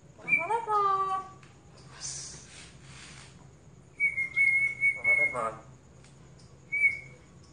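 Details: Pet cockatoo imitating the Islamic call to prayer: a voiced, speech-like phrase with wavering pitch, then a long steady high whistle, a brief hiss, and a short whistle near the end; a repeated spoken greeting is heard around it.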